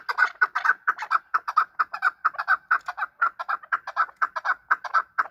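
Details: Fighting chukar partridges calling: steady, fast chuck-chuck notes repeated roughly twice a second, each a short harsh burst, forming a continuous rhythmic chatter.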